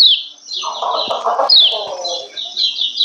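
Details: Female lemon-bellied white-eye calling to stir males into breeding condition and get them singing: quick, high descending chirps and sharp tweets, with lower warbling bursts underneath.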